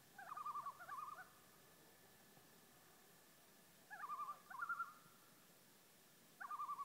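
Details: Loon on Whitefish Lake, Wisconsin, giving quavering, laughing tremolo calls in short bursts, three bouts spaced several seconds apart over a quiet background.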